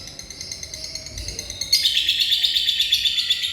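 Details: Lovebird singing bocor isian, a sustained rapid pulsing trill that jumps suddenly into a louder, shriller buzzing run of fast repeated notes.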